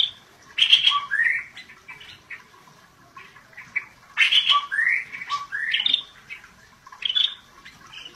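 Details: Scaly-breasted bulbul singing energetically ("gacor"): clusters of sharp chips with rising slurred whistles, repeated in several phrases with short quiet gaps between them.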